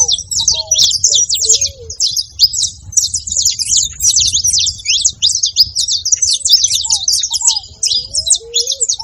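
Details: Saffron finch calls heard as an unbroken, busy chatter of high, clipped chirps lasting throughout, with occasional softer, lower curved whistles and a steady low background hum.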